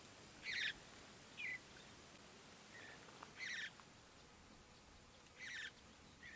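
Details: Juvenile Mountain Bluebirds, early morning at Great Sand Dunes National Park, Colorado, as parents feed them: sparse, fairly faint grating calls every one to two seconds with short chips between.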